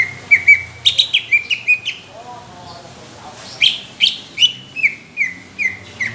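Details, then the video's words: Caged greater green leafbird in competition-quality song, described as coarse and thick: loud whistled phrases with falling slurred notes repeated in quick bursts, a brief pause, then another rapid run of sharp descending whistles. "CUCAK IJO INCARAN JURI | TEMBAKAN KASAR DAN TEBAL"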